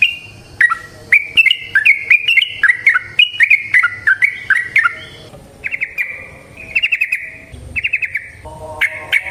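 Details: Yellow-vented bulbul singing long rolling 'ropel panjang' phrases meant to lure other bulbuls into song: bright whistled notes with downward flicks in a rapid chain, then short clusters of fast repeated chirps with gaps between.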